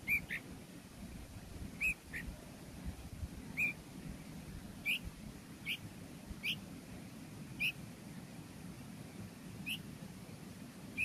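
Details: A hungry bulbul chick being fed gives short, high, thin squeaky calls, about ten over eleven seconds at uneven intervals, over a low background hum.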